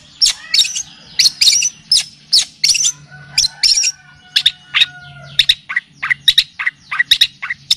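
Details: Long-tailed shrike (cendet, pentet) on a training and lure track that also features kapas tembak and cililin; a varied stream of sharp high chirps and lower descending notes, with long thin whistles from other birds behind.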